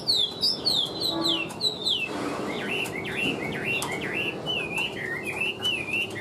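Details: Chinese hwamei, a caged, mostly tame songbird with an even delivery, pours out bright falling whistles, then a run of dipping, V-shaped notes repeated in a steady, lively rhythm.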